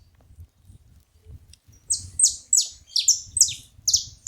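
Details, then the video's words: Several saffron finches calling together, a quiet start giving way to a run of sharp, high descending chirps, some overlapping, roughly two per second over faint low rumble. "Canarinhos da terra junto fazendo barulho"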